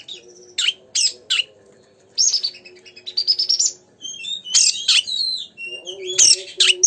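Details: Lively oriental magpie-robin song used to stir another magpie-robin: sharp chips, a rising buzzy trill, then tumbling twittering whistles and loud scratchy notes, above a constant low hum and a soft thump.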